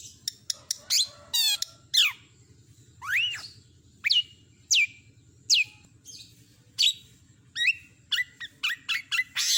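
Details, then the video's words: Long-tailed shrike delivering borrowed phrases: sharp ticks, a fast rising trill, then separate clear whistled notes sweeping down and back up, spaced about a second apart, with a faint low hum behind. "Masteran burung CENDET gacor isian lengkap"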